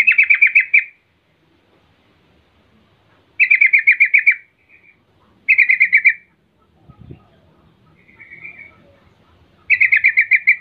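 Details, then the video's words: Sooty-headed bulbul call played to get other bulbuls to reply: four bursts of quick bubbling chattered notes, each about a second long, spaced a few seconds apart in near silence, with one faint short warble between. "10 macam suara panggilan trucukan gacor PALING AMPUH BIKIN LANGSUNG NYAUT RIBUT trucuk lain"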